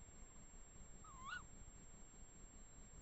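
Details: Tawny owls, two of them, in woodland in the Eifel near Dohr: a single sharp, rising-then-level squeal with a hoarse edge, calling once midway through against a steady low background hiss.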